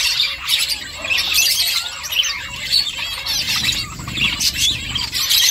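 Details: Several finches busy nest-making, giving a steady stream of high, thin chirps and quick squeaky twitters that overlap one another, with brief louder bursts and soft background rumble.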